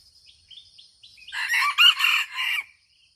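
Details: Red junglefowl from Aceh crowing: one short, harsh crow of about a second and a half, broken into four loud bursts. Thin whistled notes from small birds come before it, over a steady high insect drone.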